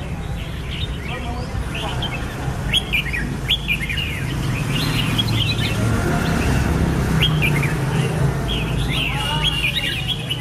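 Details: Red-whiskered bulbul, a fruit-eating bulbul of tropical Asia, delivering rapid chattering whistled phrases, three or four notes in quick bursts, repeated throughout over a low rumbling background.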